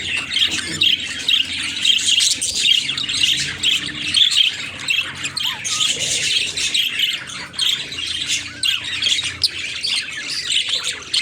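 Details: A pet flock of budgerigars playing with toys chatters nonstop in a busy stream of high, scratchy warbles and squeaky chirps.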